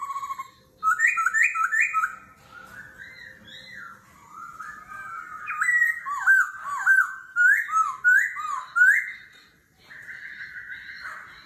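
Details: Forest-voice duel singing by a laughingthrush, voice changing continuously: bubbling rising notes, a long twisting warble, a string of clear looping whistles, then a sustained buzzy phrase at the end.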